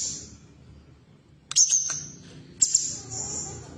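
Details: Female bulbul (cucak cungkok) used to prompt caged birds into song: a thin high whistle, a pause, then two bursts of sharp whistled notes with drawn-out high tails.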